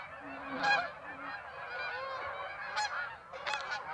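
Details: Canada geese at Birds Hill on 26 September, giving a few scattered nasal honks with a broken, harsh edge, spaced about a second or two apart over a steady background hum.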